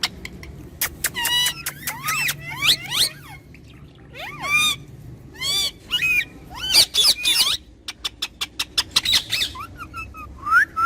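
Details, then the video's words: Two pet talking parrots trade loud harsh squawks, sharp clicks and curling whistled notes in irregular bursts, growing busier toward the end. "Best Jodi Of Talking Parrot"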